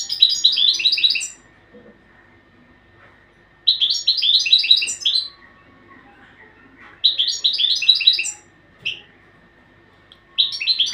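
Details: European goldfinch training song in four even phrases of quick, sparkling twitters and short buzzes, each about one and a half seconds long and coming every three to four seconds.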